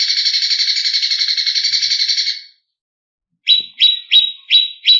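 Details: Agitated greater green leafbird song used to provoke competition birds. A long, harsh, buzzy rattle stops, and after a pause come five loud, sharp chirps at about three per second.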